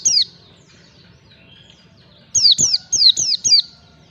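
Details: Lure track of white-eye ngalas singing for training young caged birds: one piercing falling whistle, soft thin notes in a lull, then a rapid string of five bright downslurred whistles.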